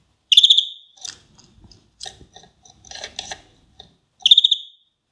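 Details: Caged, captive-bred European greenfinch, recorded in 2016 while eating dandelion. It gives loud, ringing, rapidly trilled notes in short bursts at the start and end, with scattered softer chips and twitters between them, in a quiet indoor setting.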